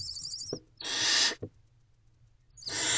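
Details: Barn owl owlets pressing toward their mother inside a nest box, night of 28 April 2023. One long, loud hissing screech, then a fainter one starting at the end, with a couple of sharp knocks between.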